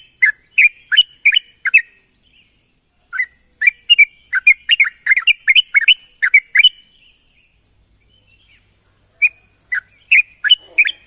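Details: Sooty-headed bulbul calling against a rival, with bursts of quick, liquid chirps, some rising, some falling, separated by gaps of a second or two; continuous faint high tone in the background.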